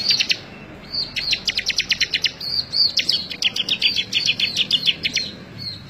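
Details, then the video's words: Actively singing bar-winged prinia, May 2017 recording meant for training other birds: long rapid series of high, sharp repeated notes, a quick trill running nearly without a break, with faint low background noise. "CIBLEK GACOR COCOK BUAT MASTERAN"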